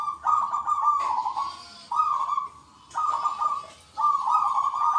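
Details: Local zebra doves in full song, giving a loud 'kung' call in a lively exchange: drawn-out, level, faintly warbled cooing phrases, four in five seconds, each starting with a sharp onset.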